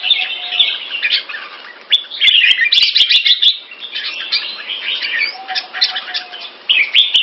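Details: Red-whiskered bulbul, caged bird of the Pama Dha or Burmese Sword singing style, loud and clear, pouring out rapid chattering bursts of rising and falling whistled notes separated by short pauses, with scattered clicks and a faint humming tone.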